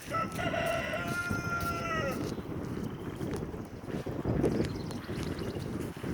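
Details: Farm rooster, described as the boss keeping track of the hens, gives one strained crow about two seconds long, harsh and slightly falling at the end, followed by outdoor rustling and farmyard background noise.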